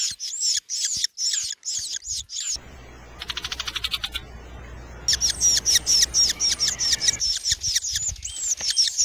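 A Loggerhead Shrike gives rapid series of high, sharp squeaky notes, about two per second, broken by a harsh rattling burst over a low background rumble.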